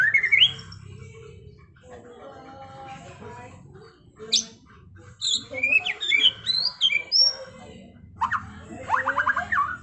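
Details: White-rumped shama in trontolan ngerol style, opening with a loud upslurred whistle, then quiet chatter, and later bright rising whistles and rapid notes over a low background hum.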